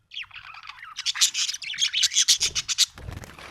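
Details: A happy budgerigar chatters continuously, a fast stream of buzzy, warbling notes that becomes a rapid pulsed trill of about four notes per second before a low rustle.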